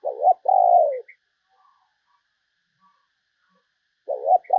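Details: Spotted dove call used as a decoy to lure other doves: loud low cooing notes, two in quick succession, a pause of about three seconds, then the cooing begins again.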